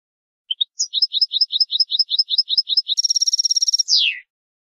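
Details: Bitbita-style singing of a European goldfinch, played to encourage other goldfinches to sing. Opens with two brief chirps, runs into evenly paired high notes, switches to a rapid buzzy trill, then ends on a falling slur. Clean, silent background.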